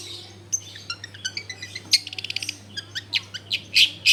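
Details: Long-tailed shrike song used to provoke other shrikes into singing, recorded in a crowded neighbourhood: quick thin whistles, then a rapid stuttering run of ticks followed by louder harsh chirps, over a steady low hum.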